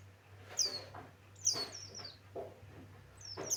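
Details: Male Javan white-eye, pleci Buxtoni, giving a few high falling whistles spaced about a second apart, separated by soft knocking sounds over a faint low hum.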